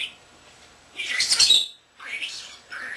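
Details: Pet young common starling indoors giving a loud hissy, noisy burst followed by two shorter buzzy speech-like phrases.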